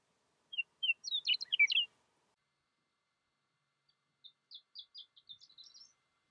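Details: Meadowlark singing in Yellowstone in spring 2020 amid falling snow: two clear, high whistled notes, then a fast, tumbling warble, followed a few seconds later by a softer, quicker series of high notes.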